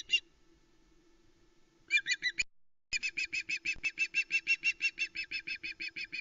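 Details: Female osprey calling at a Loch Arkaig nest, 1 September 2020, with the male delivering a live flatfish: a brief squeal, a short burst, then a long steady series of shrill piping notes about three per second.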